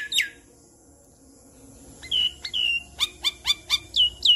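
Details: Adult Javan myna giving a burst of sharp, high whistled and squeaky notes, a few drawn-out falling whistles, then a quick string of clipped chirps.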